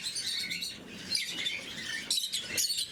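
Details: Blue-mutation lovebirds kept as pets during morning feeding: dense high-pitched chirping and squeaky chatter from several birds overlapping continuously, with louder sharp bursts near the end.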